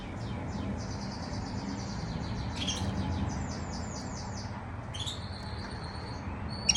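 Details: Quiet practice warbling from a pet male canary singing for the first time. A run of rapid, evenly spaced high buzzy syllables lasts about four seconds, then a few sharp separate chirps, over a low background hum.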